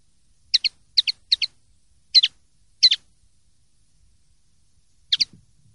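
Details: Common linnet, clean song recorded for silvestrismo in 2023/2024: quick high twittering double chirps in a fast burst, a short pause, then two more paired notes, with no other sounds.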